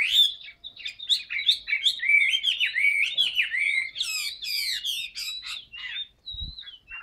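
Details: Chinese hwamei in a cage pouring out loud, rich song, tumbling rapid whistles and swooping slurs packed closely together, tailing off into a few thinner notes near the end.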